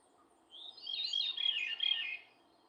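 A veery sings a breezy, fluted phrase that spirals downward in pitch over about a second and a half, with a faint low hum behind it.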